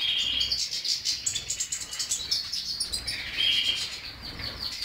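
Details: A European goldfinch twitters rapidly in a high register, mixing sharp chirps, buzzy trills and a couple of clear sustained whistled tones.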